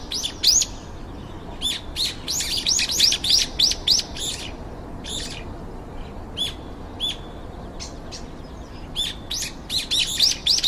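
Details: Several brown-eared bulbuls, around five, gathered in a garden and calling busily while queuing to feed, camera-recorded: rapid runs of high, arched chirps in clustered bursts, pauses with scattered single notes, then another lively burst.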